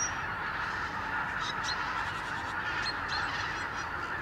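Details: Wintering Arctic geese, thousands strong, coming back from their sleeping places to Lower Rhine pastures each morning; a dense, even murmur of many distant honking birds with occasional faint higher notes.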